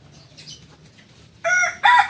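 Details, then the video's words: Kukuak balenggek chicken, a special-class bird native to Solok, West Sumatra: after a quiet stretch of low murmuring, the start of a loud, harmonic-rich crow breaks off briefly and resumes. "Ayam kukuak balenggek kls istimewa... Ayam asli solok sumbar"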